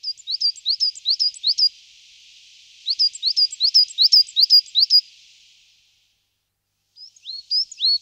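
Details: Song of a coal tit: bright repeated two-part notes in steady series, one run, a pause, another run, then a few sliding high notes after silence.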